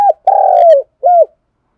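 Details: Part of a spotted dove's morning calling coo, used for luring and training decoy birds: a clipped note, a sustained slightly wavering coo that falls at its end, and a short arched final hoot; no other sounds.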